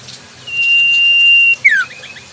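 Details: Single phrase from a wild Common Iora: a clear, high, even whistle held for about a second, then a short descending slur.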